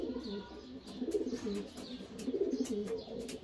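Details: Kept homing pigeon cooing: soft, low, throaty coos rolling in uneven bursts, with faint rustling behind.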